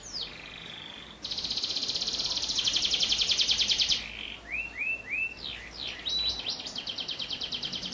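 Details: Canary with prenjak (prinia) phrases in its song, used as a tutor for young canaries: a descending whistle, a long intense buzzy roll, three rising swoops, then a quick pulsing trill.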